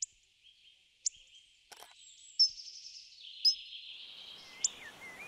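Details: Hawfinch (Coccothraustes coccothraustes) recorded in May 2023 in Segovia province, Spain: sharp, explosive 'tzik' ticks roughly once a second against a steady high hiss and faint thin notes from other birds.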